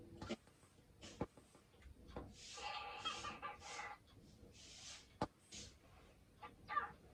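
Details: Male pet cockatiel hatched October 2019, caged indoors while the house is cleaned, chattering as he waits to play: harsh, noisy bursts clustered in the middle, with sharp clicks and knocks around them.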